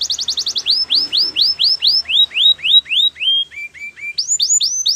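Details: Canary song for training: a fast high trill, then a long series of clear slurred notes, each curving downward, about four a second, dropping step by step in pitch and rising again.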